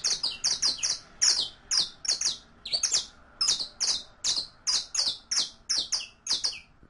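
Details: Captive saffron finch, called canario criollo, recorded for tutoring song: continuous loud stream of strong, slightly buzzy descending chirps, often doubled, coming about three per second throughout.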